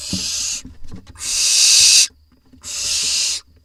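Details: Barn owl nest box in Israel, 4 July 2021, parents bringing voles to the nestlings: long, rasping hisses of nearly a second each, with soft shuffling and scraping between them.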